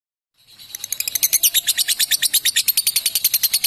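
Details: Female fighter lovebird giving a long 'ngekek panjang' trill: after a short silence, a rapid chain of sharp high chattering notes builds up and runs steadily at about seven pulses per second.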